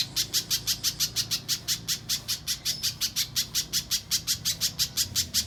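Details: Mbeset-style spiderhunter song recorded as a training master for contest birds, a long run of bright, high-pitched chips at an even pace of nearly three per second, clean apart from faint low rumble.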